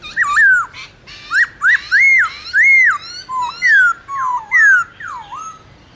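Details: Black-throated laughingthrush sings a wild-style song in the morning, used to stimulate other birds: a loud series of rich, looping whistles, rising and falling, about ten phrases in six seconds, with a faint room hum behind.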